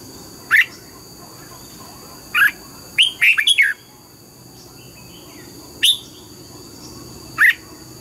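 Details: Red-whiskered bulbul in morning voice training, singing the double-note wild-style song: scattered short, loud whistled notes, then a quick run of four rising-falling notes near three seconds, over a steady high electronic whine.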